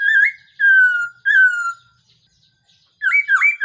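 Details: Black-throated laughingthrush decoy recording for trapping: three long, clear whistles, each slightly falling, then a silence and two quick rising-then-falling notes.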